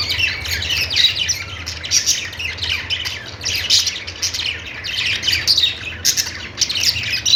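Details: Chirping budgies, a group warbling in uneven waves of scratchy notes and sharp tweets, louder surges about twice a second, steady low hum underneath.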